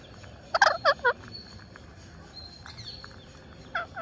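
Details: Green parakeet while feeding gives a quick burst of four loud nasal harmonic notes in under a second, then quiet hiss and one softer note near the end.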